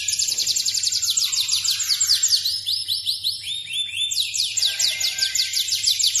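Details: Yorkshire canary of F2 stock singing steadily, rolling high trills of quick descending notes that shift through several pitch levels, including a brief lower warbled stretch mid-song, over a soft steady background hum.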